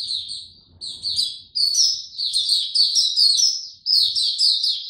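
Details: White-eye in a cage, 29 April 2022, no supplements: soft high twitters at first, then louder phrases of rapid squeaky warbled notes separated by short pauses.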